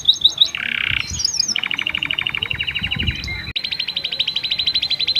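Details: Canary singing a lively master song in the unique cengkok style, used to stir females into breeding condition: sharp high chips, a buzzy rattle, then long fast trills of evenly repeated notes that roll on without pause to the end.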